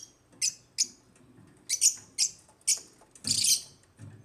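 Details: Sharp, piercing chirps from African lovebirds, given singly about every half second, then a longer harsh squawking burst near the end, over faint low background rumble.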